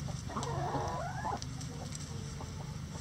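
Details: Rooster in a sunny backyard coop with mixed egg-laying breeds and bantams: a rising, wavering crow of about one second opens the recording, then quieter clucks fade into steady low background noise.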